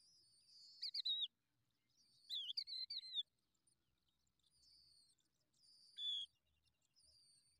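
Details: Hungry skylark nestlings begging for food, with thin, very high chirps in three short bursts, some wavering and falling slightly, separated by quiet gaps.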